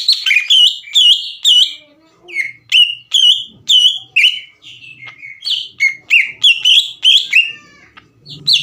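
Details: Green leafbird singing to provoke a rival: a brisk series of whistled, slurred notes, around two per second, varying up and down in pitch, steady throughout.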